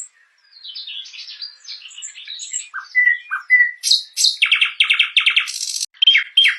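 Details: Nightingale sings quiet varied twitters and short whistled notes, then bursts into loud repeated chirps, a brief buzzy rattle and more emphatic chip notes.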